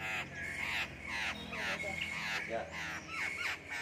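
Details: On a cold day, a black-throated laughingthrush gives loud, rich, slurred phrases, roughly two per second, rising and falling with harsh edges, over a low murmur of human voices.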